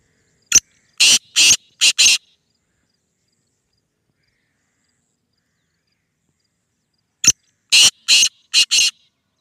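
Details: Black francolin (kala teetar), a speeder type calling nine times in a minute: two separate bursts of five rasping, scratchy notes each, with several seconds of silence between the runs.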